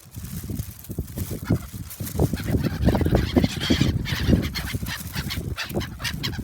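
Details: Many gulls flocking to food at Shin-Okayama Port park, Japan, on 3 February 2021, with a dense, overlapping chorus of harsh squawking calls above a steady low rumble.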